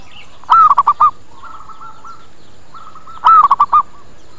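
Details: Zebra dove lure call to attract birds and make them answer: two loud phrases of a curved coo plus short staccato coos, with softer, more distant dove coos rolling in between them.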